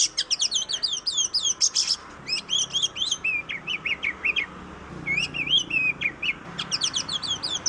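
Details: Oriental magpie-robin (kacer) song from Indonesia: rapid trills of high looping whistles, then slurred descending notes repeated in groups, the melodious phrases separated by brief pauses.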